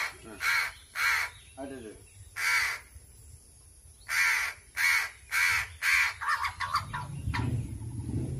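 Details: Hungry crow being hand-fed, cawing noisily: a long series of harsh, rasping calls, about two per second. It breaks into quicker, clipped calls at the end as a low rumble rises.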